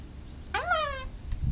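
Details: In a backyard, a pet female Goffin's cockatoo talks to birds in nearby trees, using phrases like good morning. A single harmonic call rises sharply, then slides down over half a second, over low rumbling noise.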